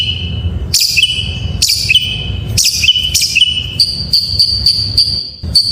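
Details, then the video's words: Oriental magpie-robin singing a full varied song meant to coax reluctant caged birds into singing: crisp whistled notes repeated about once per second, shifting near the end to a series of high, evenly spaced sharp chips. "Suara masteran burung Kacer || pancingan KACER full isian"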